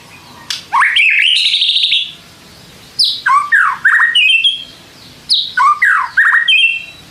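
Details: Song of a captive white-rumped shama meant to goad other shamas into singing back: clear rising whistles and chattering phrases, repeated in three loud bursts with quiet gaps between.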